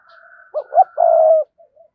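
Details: Spotted dove used as a decoy, cooing to draw in wild doves: two brief low notes, then a drawn-out level coo, with a thin faint whistle running above beforehand.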